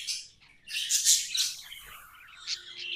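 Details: Budgerigars chirping and warbling, bright loud chirps early, then softer descending twitters and a few thin whistled notes.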